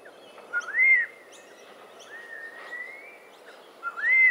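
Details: Yellow-tailed black cockatoos eating pine cones in Botany in March 2012: arched, whistled wails and one long level drawn-out note, with quiet gaps between, over steady background hiss.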